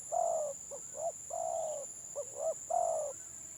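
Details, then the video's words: Stuttering-style 'gagap' song of a village spotted dove, gelang patah type: long level coos alternating with paired short hiccuping notes, a steady thin whine running underneath. "BURUNG TEKUKUR GAGAP VS GAGAP"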